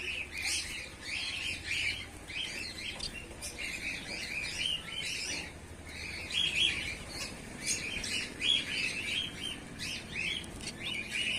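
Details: A colony of white Bengalese finches, both males and females, chattering continuously with overlapping high chirps and short buzzy notes, a dense steady twittering with no other clear sounds.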